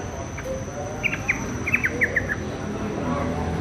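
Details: Young sooty-headed bulbul learning its song: a quick run of about eight short, sharp chirped notes in under two seconds, over a steady low hum and a thin high whine.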